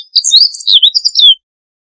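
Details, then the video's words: Meadow bunting gives one quick, high phrase of varied chirps and twitters lasting just over a second, ending in a sharp falling slur; nothing else is heard. "Escribano Siberiano"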